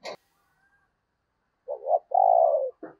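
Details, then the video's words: Spotted dove used as a lure for wild doves, giving one phrase of a short wavering note and then a long, level, slowly falling coo, with brief tapping sounds before and after. "tiếng cu gáy/ Chim Cu Mồi Thúc Và Gáy Gọi/ Tiếng chim cu gáy kích bổi hiệu quả"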